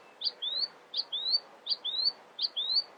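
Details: Quieter early-morning nightingale phrase: a sharp note followed by a thin upslurred whistle, the pair repeated four times, roughly every three-quarters of a second, over a soft background hiss.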